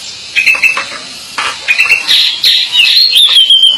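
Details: Pied bushchat song opening with short, spaced high chirps, then building into continuous bright chattering and a long, wavering whistled line near the end.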